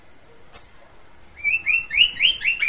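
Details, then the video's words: Horsfield's babbler in lively song: after a sharp click, a rapid string of about six clear, down-slurred whistled notes, each slightly rising in emphasis, delivered in under a second and a half. "Burung pelanduk semak suara khas"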